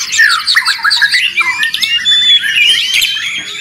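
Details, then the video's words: White-rumped shama singing loudly, used to train songbirds: jumbled quick whistles and harsh chatters, followed by smooth looping whistled notes. "Murai ribut Sangat berisik. dijamin nyaut bongkar materi."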